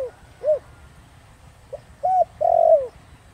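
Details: Thổ Đồng-voiced spotted dove coo meant to provoke wild doves to call back. A short coo closes one phrase. Another follows with a faint opening note, an arched hoot and a long tremulous note sliding downward.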